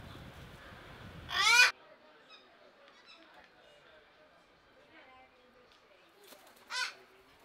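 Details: A Lord Derby's parakeet (Psittacula derbiana) at Belgrade Zoo in May 2022 gives two loud, harsh screeching calls, one at the start and one near the end, with a quiet background between.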